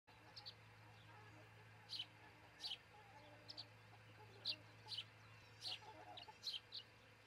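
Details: Osprey at a nest in Charlo, Montana, nest cam, 22 June 2018, early morning around 04:50–05:50, nesting pair: short, high, whistled chirps, often in quick pairs, about a dozen over several seconds, over a faint low electrical hum.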